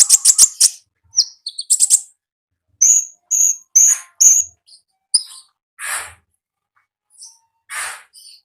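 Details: Wild konin in full, lively song. Quick high chirps open the phrase, followed by clipped whistled notes spaced about half a second apart and a few buzzy bursts.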